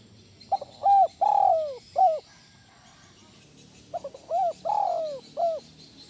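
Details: Spotted dove cooing, played to calm stressed kept doves: two low phrases, each of a couple of quick stuttered notes, a long drawn-out falling coo, then a short closing coo. Faint insect hum in the background.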